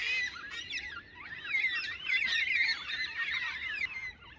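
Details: A flock of mostly white-tailed black cockatoos, flying through and perched atop a tree in a cold valley, gives overlapping, wavering, harsh wailing calls in a continuous chorus of several birds.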